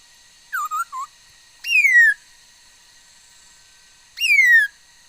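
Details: Laughingthrush hen in song on 13 August 2021, known for varied sounds: three quick short whistles, then two long, pure whistles sliding steadily downward, spaced a couple of seconds apart.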